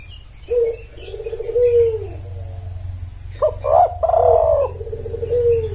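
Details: Spotted dove lure call for males: a long, low, slightly falling coo, then a louder stuttering burst into a held hoarse coo and a trailing softer note, over steady low hum.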